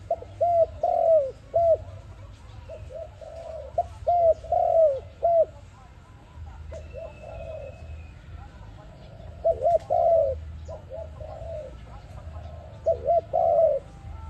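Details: Cooing of an ARIMIX dove, sound meant for trapping: repeated phrases of two or three quick arched hoots leading into a longer mellow coo, recurring every few seconds over a faint steady hum.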